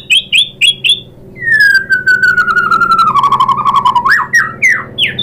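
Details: White-rumped shama lure song for provoking other shamas: three quick clipped whistles, then a long smooth whistle slowly gliding downward with a fast rattling texture, and closing with upward-sweeping whistled notes.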